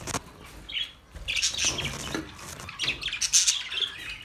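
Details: Budgerigars give quick high chirps and squeaky warbles in scattered clusters, a short whistled note early on, the calls tumbling over one another.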